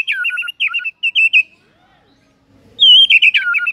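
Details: White-rumped shama singing a morning lure song with filler phrases: quick clusters of bright chattering notes, a quiet gap, then a loud wavering whistled run.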